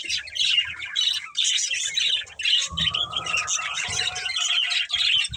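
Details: Budgerigars, a breeding pair, warble in nonstop scratchy chatter with squawky bursts and a thin drawn-out whistle midway, accompanied by low thudding sounds.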